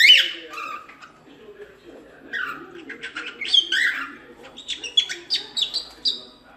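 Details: Busy cockatiel chatter: a loud whistled note, then a mix of rising and falling squeaky chirps growing denser toward the end over low background noise.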